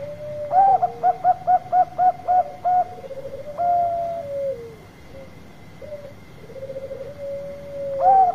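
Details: Lure song from a Bangkok zebra dove: a rapid series of about eight short uniform coos, a sustained level note, then long low rolling trills separated by pauses, ending with another coo; faint hum behind.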